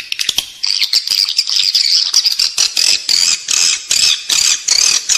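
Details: Edible-nest swiftlet calls for use inside a nesting building to draw swiftlets in: dense high chirps and buzzy trills, broken by sharp rattling clicks at a rapid, uneven pace.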